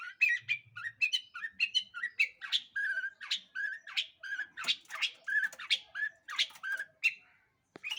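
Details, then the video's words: Long-tailed shrike pouring out continuous lure song to get other birds singing: quick alternating phrases of lower whistled notes and higher sharp chips, varied and chattery, with almost no gaps. "PANCINGAN CENDET GACOR Di Jamin Pasti BUNYI"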